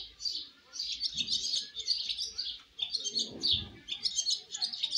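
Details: First flight of baby swallows from the nest: bursts of high, jumbled twittering separated by short gaps, with a low soft thud in the middle.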